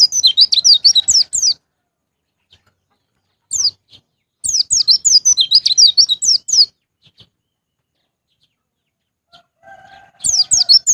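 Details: White-eye song used to prompt caged birds to sing, ngalas ngeplong style: bursts of fast, high, downslurred chirps repeated several times with silent gaps, a faint lower tone between phrases.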